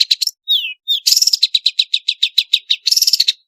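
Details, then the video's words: Long-tailed shrike delivering busy varied song as a lure for silent shrikes: a few descending whistled slurs, then a steady series of rapid raspy chattering notes, several per second. "suara burung pentet gacor isian variasi bisa untuk pancingan cendet malas bunyi"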